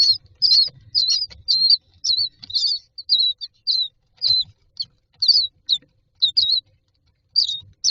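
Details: In a nest box, common myna chicks waiting for food repeat short high, hooked squeaky begging notes about once a second, sometimes doubled, with faint low rustles between.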